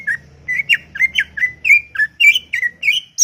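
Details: Greater green leafbird chattering without pause in a garden, a quick steady stream of varied slurred whistles, rising and falling, about four notes per second throughout.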